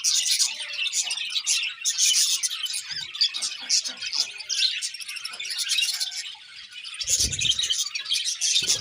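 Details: Budgerigars chirping in the morning: a dense, continuous high chatter of scratchy twitters and short chirps with brief louder bursts, and a low thump near the end.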